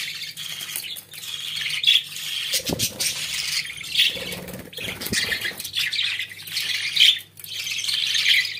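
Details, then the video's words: Pet budgerigars in full warbling chatter, a continuous stream of high buzzy and chirping notes with clicks, broken by a few low thuds. "Muhabbet Kuşlarınız Bu Sese Bayılacak & Ötme Garanti"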